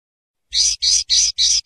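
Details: Common linnet (Carduelis cannabina) singing a short run of four to five rich, buzzy, high notes in steady rhythm after a brief silence, over a faint low hum.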